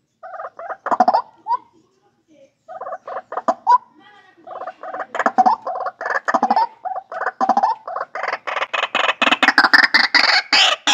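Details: White-breasted waterhen call from a captive-bred bird, used as a lure: loud harsh repeated notes in bursts, building into a dense rapid chorus of grating calls toward the end.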